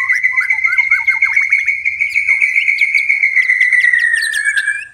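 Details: White-rumped shama singing at night: a long, steady whistled note held for several seconds that slowly falls at the end, with quick chirps and downward-sweeping notes layered over its first half.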